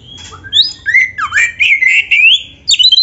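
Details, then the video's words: White-rumped shama song for training other shamas: a continuous flow of rich whistles, rising and falling slurs and warbled phrases, closing with a brief sharp chatter. "SUARA BURUNG KACER GACOR FULL NARUNG ‼️ Untuk MASTERAN KACER MANAPUN"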